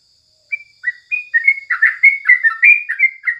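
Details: Sooty-headed bulbul singing in the morning, a recording meant for tutoring songbirds: a few separate clear whistles, then quickening bubbly, slurred chatter notes.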